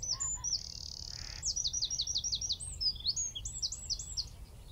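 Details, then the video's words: Eurasian wren singing from a tree at Wicken Fen, about 15 m away, recorded with a mobile phone, telescope and shotgun mic: a loud high trill of rapid repeated notes, a sustained buzzy note, then quick chattering phrases. "Wren (Troglodytes troglodytes) - singing from tree"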